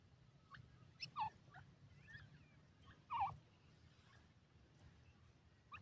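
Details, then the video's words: Grey francolin, a local partridge, giving a few harsh, clustered rising notes, with the two loudest bursts about two seconds apart, over quiet low background noise. "dasi tetar ki awaz,teetar sound,partridge bird awaz"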